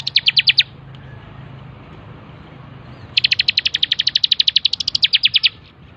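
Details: Bar-winged prinia on a master track for training birds, a short burst of high rapid chirps, a pause of over two seconds, then a long, steady, accelerating run of sharp notes.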